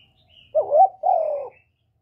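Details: Kept spotted dove used as a decoy, cooing to provoke newly caught birds into answering. A single low, throaty coo in two linked parts, the second longer and evenly held, in a quiet setting.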